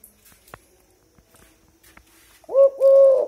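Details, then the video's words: Tame Eurasian collared dove giving a low, mellow coo near the end: two rounded notes at one steady pitch, each about a third of a second, the second slightly longer. Faint soft clicks and taps are heard before it. "দৈল ঘুঘুর ভাইরাল ডাক -Tame Eurasian collared dove sound"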